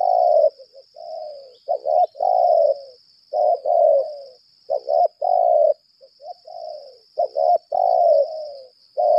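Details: Sustained laga calling from a 'lambung kuk' decoy spotted dove: a nearly continuous run of low husky coo phrases, clipped doubled notes mixed with long falling rolls. Steady high-pitched hum underneath.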